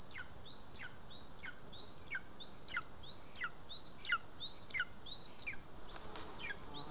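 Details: {'caption': 'Lesser spotted eagle at a nest in Estonia on 2 August 2020 during feeding with voles. Repeated piping whistles, each climbing then dropping sharply, about one and a half per second, ending with a brief burst of rustling.'}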